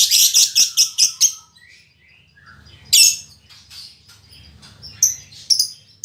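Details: Female fighter-type lovebird, described as very vocal, opening with a rapid series of sharp, high chirps, then scattered shrill squawks and quieter twittering over a low background hum.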